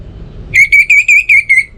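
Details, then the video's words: Single phrase of six rich, slightly wavering whistles in quick succession from an orange-headed thrush, a lure sound for mornings and evenings to get birds singing. "Pancingan Suara ANIS MERAH Untuk Pagi dan Sore Hari Agar Burung Jadi Tambah Gacor"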